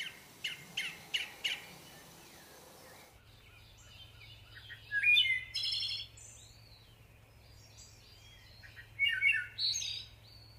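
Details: Wild orange-banded thrush singing its isian-style song: a burst of rapid repeated chirps, then after a pause varied sharp whistled and trilled phrases at high pitch, with a steady low hum in the background.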